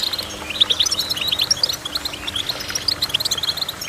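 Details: Goldfinch song of quick tinkling chirps and brief trills in uneven bursts, some higher ringing notes standing out, with a steady low hum underneath.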